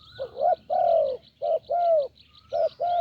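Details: Thai branch-decoy trapping of a deep-voiced wild spotted dove; booming, hollow coos alternate short and long notes in quick succession, backed by faint high-pitched clicking.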